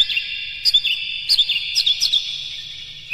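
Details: Oriental magpie-robin lure song for provoking other magpie-robins: steady whistled tones with short bright flicked notes repeated about twice a second, faint low hum underneath.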